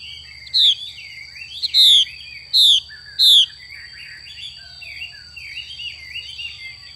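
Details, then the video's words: Female Chinese hwamei xùy call: four loud, harsh, falling notes in quick succession, followed by quieter rambling twitters. A steady high-pitched whine hums in the background. "Họa mi mái xùy cực đỉnh"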